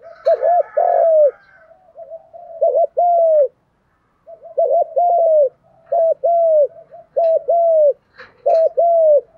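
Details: Spotted doves, male and female, calling in the thúc gù and gù đấu (contest cooing) styles used to stir birds for training; five cooing phrases, each a short doubled note then a long, slightly falling coo, with brief pauses between.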